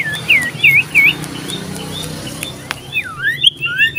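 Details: Common iora in full loud song, seeking a rival, 27 December 2022: three quick upturned whistled notes, a pause with faint clicks, then a tumbling series of rising and falling slurred whistles.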